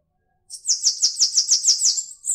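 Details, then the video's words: A Bananaquit (cambacica), Brazil, gives a high, thin, buzzy song of about nine rapid wheezy notes, roughly seven per second, ending in a sizzling trill. "Sibite Cambacica Cantando"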